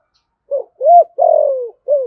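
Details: Short 'Thổ Sấm' coo from a spotted dove used as a lure for wild doves: a soft note, a rounded coo, a long falling husky note, then a final short coo.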